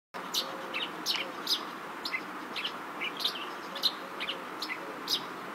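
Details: Chestnut-shouldered petronia, also called yellow-throated sparrow, at Sufi Anwer Safari Park in Ghotki, Sindh, Pakistan. Short, sharp, high chirps come in irregular runs over a steady hiss of background noise.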